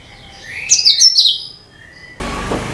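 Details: Cucak kinoi singing, used as a lure for all kinds of birds: one loud, high, chattering phrase falling in pitch, over faint thin whistles, then a sudden burst of broad hiss to the end.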